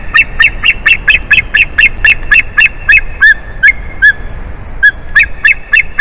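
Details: Adult male white-tailed eagle calling a lot at the nest on 8 April 2021, around 2:54 pm, as his mate returns after five and a half hours. His high, young-sounding voice gives rapid, shrill chirping yelps in a quick series, with a few slower notes.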